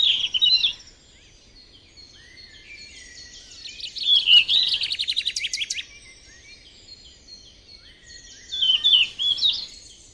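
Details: Yellow-rumped flycatcher in the wild giving high, sweet whistled phrases broken by fast buzzy trills, in bursts repeated at intervals of several seconds.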